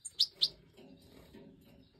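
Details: Captive-bred European goldfinch of the Major form, 2024 breeding season: one of five chicks out of the nest, fed by the hen. Two sharp, very high chirps in quick succession, then quiet low rustling.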